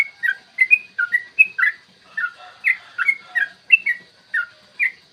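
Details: Yellow-vented bulbul in long ropel song, played as a lure to make bulbuls sing and get fired up: bubbly, slurred whistled notes, rising and falling, delivered in quick bursts about every third of a second.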